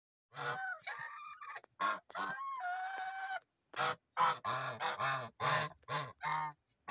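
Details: Geese giving loud, nasal, harmonic honks in a rapid irregular series, some drawn out and wavering, others short and clipped, repeated many times with brief gaps.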